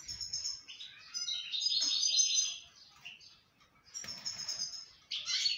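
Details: Moroccan goldfinch in breeding season delivering a fast, liquid twittering song with tinkling and buzzy notes, a rich phrase over a second long, a lull, then renewed chirping and a sharp final burst.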